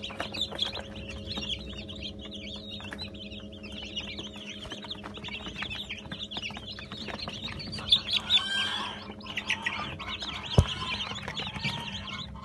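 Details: Newly hatched Brahma chicks from an 80-chick hatch, 17 June 2018, peeping in scattered high, short chirps that rise at about eight seconds, over a steady low mechanical hum and occasional knocks.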